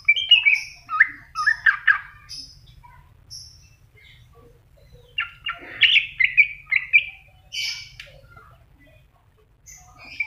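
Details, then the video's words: Greater green leafbird giving bursts of quick, varied chirps and slurred whistles, mid to high pitched, in phrases of one to two seconds with short pauses. "Cucak Hijau Masteran"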